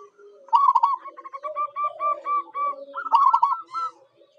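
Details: Local zebra dove (perkutut lokal) song used to lure wild birds: a stuttered opening coo, then a rapid even series of short ringing notes and a final rolled phrase over softer low cooing.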